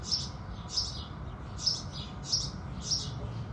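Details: At sunrise, house sparrows give clear, high, clipped chirps about every half second, five or six in a row, against a faint, even low-pitched background murmur.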